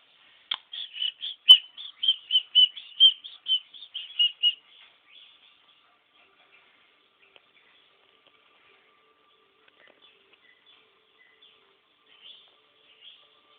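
A budgerigar gives a quick run of high, chattering chirps, then falls mostly quiet.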